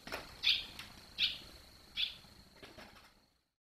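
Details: Barn swallow young leaving the nest on 21 July 2023, after days of flying out and returning. Three soft, high chirps are spaced under a second apart, with faint wing flutter and quiet background noise.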